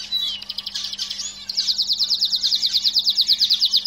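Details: Several canaries kept in a cage sing a quick warbled phrase, then switch to a loud, even trill of sharply repeated notes held for over two seconds; faint steady hum behind.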